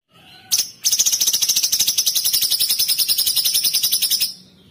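A bulbul fires off a fast, steady burst of bright, high, ringing notes for about three and a half seconds, each note sharp and crystal-clear.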